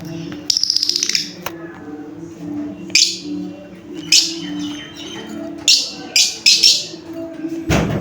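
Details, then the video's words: Indoor lovebird giving short shrill chirps, scattered and irregular, opening with a fast buzzy rattle; a steady low hum runs underneath and a loud click closes the recording. "Love bird chirping sound"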